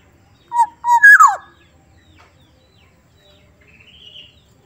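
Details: Soft-voiced Black-naped oriole of Sumbawa giving two brief mellow whistles, then a rich descending slurred note. A thin, faint rising note follows a few seconds later against a quiet background.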